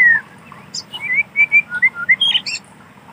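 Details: White-rumped shama in wild forest giving a short run of separate whistled notes, each brief and slurred, some lower and some higher. The notes come in quick succession and the sound is quiet.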